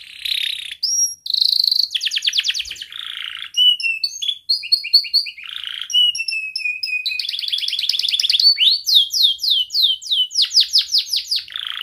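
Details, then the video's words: Continuous song of a young canary kept to train others: alternating buzzy rattles, whistled chirp series and rolled trills, ending in rapid repeated downward sweeps. "Kenari Gacor Muda Rol Rapat Cuit cuit ngeroL 100% Terapi Ampuh kenari Paud belajar Bunyi & MACETAN"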